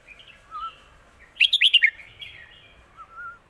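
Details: Red-whiskered bulbul in 'lak wai' style song, a master song: quiet twittering warbles give way to a loud, quick run of five ringing notes, followed by softer trailing phrases and a low slurred whistle.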